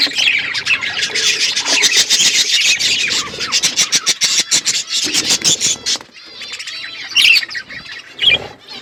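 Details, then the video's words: Outdoor aviary budgie flock producing a loud, rapid stream of harsh chirps and squawks, then quieter sparse whistled notes after a short lull. "Budgies flocks in outdoor aviary budgies colour budgies chirping sounds"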